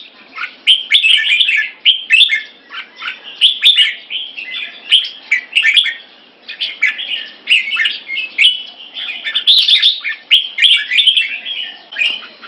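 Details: Keke training of caged Red-whiskered bulbuls in Singapore, two birds facing off. Almost continuous, busy warbled chatter with quick slurred whistles stacks into overlapping phrases that pulse every half second or so.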